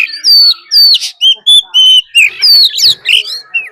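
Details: Oriental magpie-robin decoy giving a fighting song, a wild female also calling, to provoke other birds: strong clear whistles and downslurred phrases repeated about every half second, loud and sweet.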